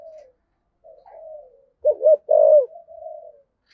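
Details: Spotted dove cooing in the 'giọng thổ' (cúc đình) voice style, a calling coo: soft low hoots leading to two loud, deep, wavering coos, then a trailing softer coo, in a quiet setting.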